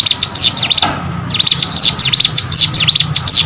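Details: Hill prinia delivering quick, high chirps in V-shaped sweeps, falling then rising, repeated in a busy chatter over a low background hum.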